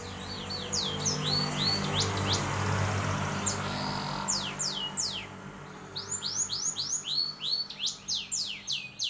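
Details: A canary and black-throated canary cross sings amid a broad background rush. Scattered high descending chirps give way to a fast, regular series of sweeping downslurred notes near the end.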